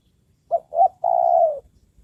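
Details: Cooing of a spotted dove kept as a trained decoy for luring wild doves: two quick low notes, then a sustained, slightly falling coo.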